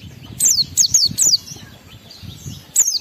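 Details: High-energy Oriental white-eye song in forest style with mimicked phrases, used to raise emotion and breeding urge in other white-eyes: three quick sharp descending chirps, a gap, then one more, over low rumbling noise.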